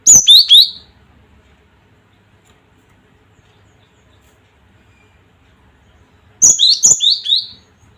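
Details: Lure calls of the cinereous tit, used to provoke a fighting mood. Two phrases about six seconds apart, each with sharp clicks and a quick run of high-to-low whistled note pairs.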